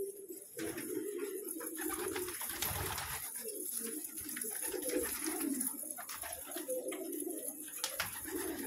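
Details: Pet pigeons keep up a continuous low cooing murmur. Frequent clicks, scrapes and rustling noises sit over the coos throughout.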